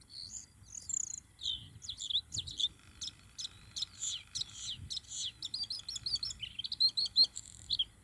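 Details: Song of a Bluethroat in June 2021: a long run of varied high notes, clicking ticks, rapid trills and mimicked-sounding phrases, with sharp repeated elements and a fast rattle near the end, steady and loud throughout.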